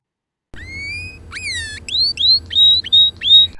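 Canary song: a long rising whistle, then quick upswept whistled notes repeated about three times a second, high and clear over a faint low hum.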